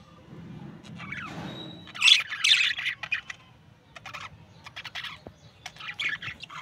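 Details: A pair of budgerigars gives short chirps and harsh squawky notes in quick irregular bursts after a low rumbling start, with a brief whistled tone near the second mark.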